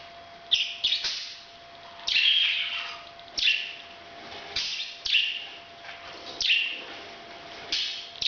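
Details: Parrot's breeding call as separate harsh, rasping squawks that drop in pitch, spaced roughly every one to one and a half seconds, with quiet hum between notes.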